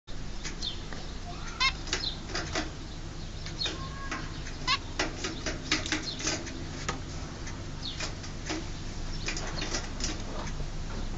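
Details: Pair of young zebra finches in their birth cage, ready to leave for a new home, giving short nasal stacked calls and sharp ticks scattered through the clip over a steady low electrical hum.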